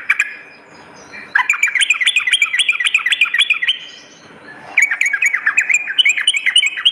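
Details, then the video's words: Sooty-headed bulbul singing steadily, used as a lure and master song for morning and night: long runs of quick, rising and falling chattered notes, a short gap, then another fast bubbling run. "suara pikat dan masteran burung trucuk gacor pagi dan malam"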